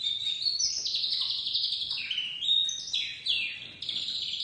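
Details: Crested white domestic canary chick singing a steady high warble of fast trills and buzzy rolled phrases, stepping between pitches with little pause.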